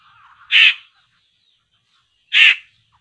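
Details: Poksay laughingthrush lured toward bird traps: two loud harsh grating bursts about two seconds apart, the first preceded by soft low chattering.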